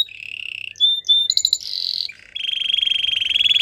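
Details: Belgian singing canary song to seduce other canaries: smooth steady trills changing pitch in steps, a brief rattling burst and buzzy roll, then a long rapid trill that grows louder.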